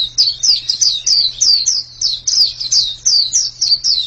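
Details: A pleci, or white-eye, gives loud, high, downward-sweeping chirps in a quick regular series, around three per second, with a low steady hum in the background.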